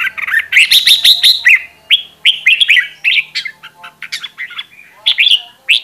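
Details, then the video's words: Red-whiskered bulbul, a decoy bird in peak singing form, used for voice training: lively warbled phrases of rich whistles and quick slurred notes, pouring out almost continuously with brief breaks. "Luyện Giọng Chào Mào Mồi - Chào Mào Giàn Đạt Căng Lửa"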